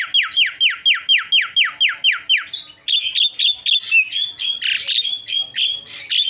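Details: Isian song of the Javan myna: about ten identical rising whistled sweeps in quick succession, then a shift to harsher, buzzier chattering notes with high squeaks.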